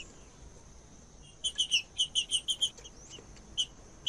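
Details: A silent green-winged saltator warmed up by this song: after a second and a half of quiet, one rapid burst of about eight bright, evenly spaced notes, then a single note near the end, over steady hiss.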